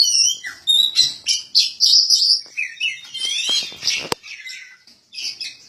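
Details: Kacer Poci (white-breasted magpie-robin), national champion of the 2017 Bupati Cup contest, pours out quick repeated chirping phrases and high warbles, with a sharp click near the fourth second, then quieter notes.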